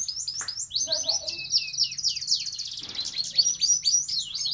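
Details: A red siskin in breeding condition sings a nonstop, high-pitched twitter of quick chirps and downslurred notes, with a buzzy rattling trill running through the middle.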